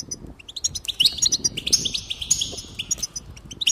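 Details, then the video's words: Goldfinch singing, played to raise a bird's enthusiasm for song: a continuous lively stream of high twitters and sharp metallic chirps layered over a thin sustained buzz. "increase the enthusiasm of the goldfinch and encourage it to song"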